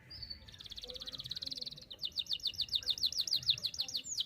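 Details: Canary song used to tutor young canaries: a soft buzzy high trill for the first two seconds, then louder, rapid, clipped whistled notes repeated about three times per second.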